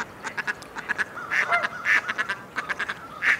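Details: Mallard giving brief, raspy quacks in uneven bursts, with a short drawn-out note in the middle and a few softer clicks between the louder calls.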